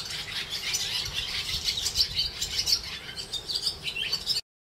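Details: Short burst of swallows calling in the Jewish quarter of Hervás, northern Extremadura: busy, high-pitched chirps and twitters that stop abruptly.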